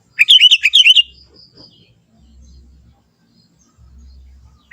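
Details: A young sooty-headed bulbul from the forest gives its own untutored song: one quick, lively burst of bubbly, chirping notes lasting about a second. It is followed by near-silence, low background rumble and the start of another note.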